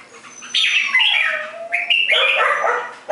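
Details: Red-whiskered bulbul giving a long, loud, fluid phrase of slurred whistles that glide downward, followed by a burst of rich chattering notes.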